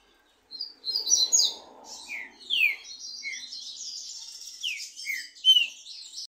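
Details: Two trinca-ferro (green-winged saltator) in a singing dispute with song and 'machiado' phrases: high thin chirps and short downslurred notes come in quick bursts for six seconds, with a soft low rumble early on.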